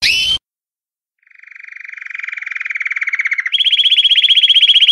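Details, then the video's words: Belgian canary in progressive campainha song: a short whistled note, a pause, then a low rolling trill that grows steadily louder before stepping up to a higher, bright rattling tour. "CANÁRIO BELGA CAMPAINHA PURO - CANARY SINGING"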